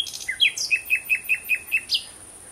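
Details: June 2017 sunset song of a common nightingale: a few quick opening notes, then eight evenly spaced, loud, clipped notes repeated about four times a second, ending in a higher flick, with a constant high whine behind.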